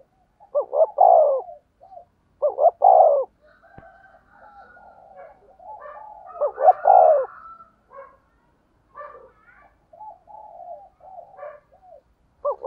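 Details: Spotted dove giving decoy coos in the 'thúc gù giọng thổ đồng' manner: two deep, throaty stuttered-and-rolled coo phrases early, then softer murmuring coos and faint extra calls filling the gaps.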